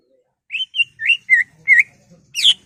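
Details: Greater green leafbird delivering a provoking song with mimicked elements; six separate whistled notes, each a short slurred glide rising or falling, spaced roughly a quarter second apart, the last one harsher and broader.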